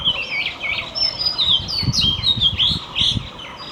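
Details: Magpie-robin in morning song, continuous sweet whistled notes and chime-like slurs with rapid chirps, accompanied by soft low thumping or rustling sounds in the background.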